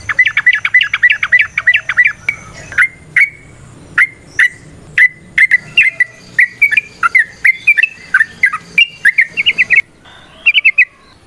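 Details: Sooty-headed bulbul (trucukan) singing actively in the varied rolling 'ropel variasi nrotok ngecuplik' style, played to prompt other trucukan to sing: fast run of bubbly repeated notes, then spaced short fluty phrases every half second, closing with quick chattering bursts.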